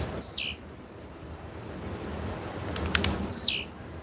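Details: Female blue-black grassquit calling twice: high, thin notes that drop sharply in pitch, the second preceded by a short run of rapid ticks, with near silence between.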